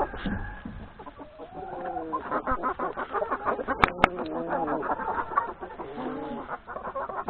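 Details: Hens and three roosters having breakfast in a yard before going out to forage in the forest, continuous busy clucking and drawn-out calls from many birds, with two sharp clicks near the middle.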